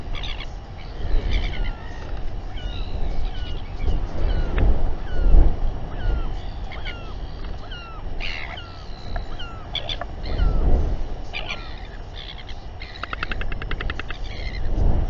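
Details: Several royal albatrosses calling during a stressful group gathering and fight in New Zealand, 7:42 pm, 27 January 2021; many short bending, whining notes overlap, with rapid stuttered series near the end and gusting wind.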